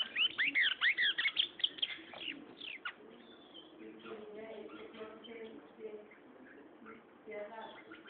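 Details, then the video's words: Gray seedeater, a seed-eating bird with a strong song from plains and foothills, delivers rapid high whistled and slurred notes for about three seconds, about two notes per second, then a man talks over faint chirps. "pico de plata pollero cantando"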